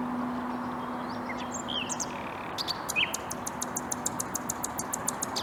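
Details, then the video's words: Common nightingale song recorded 14 April 2021 in Bursa: a couple of short whistled notes, then a fast run of sharp, dry clicking notes, about five a second, over a steady hum and background rumble. "Bülbül sesi dinle-Common Nightingale"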